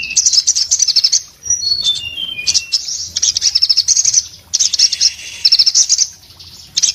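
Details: Varied song of an orange-headed thrush: dense high chatter, then short clear whistled notes stepping downward, followed by several more bursts of fast twittering.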